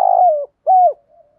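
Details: Spotted dove 'thúc gù' stimulating coo meant to prompt other doves to call: a purring, rolled coo sliding downward, a brief pause, then one clear, smooth, arched coo, with faint soft notes trailing after.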